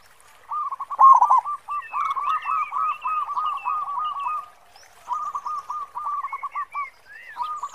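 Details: Local zebra dove in strong 'khong' song: long unbroken runs of rolling, stuttered coos with a loud peak near the start, broken by short pauses, and scattered high chirps of other birds.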